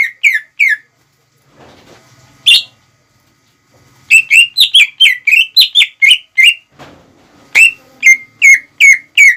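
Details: Greater green leafbird singing to stir up rival birds: clipped whistled notes in rapid series, some rising and falling, delivered in bursts of around ten with pauses between, over a faint low rumble.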